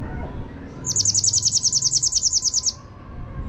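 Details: Java sparrow giving a 'tembakan' (shots) call: a fast, even burst of about twenty sharp, high chipping notes lasting under two seconds over faint background hum.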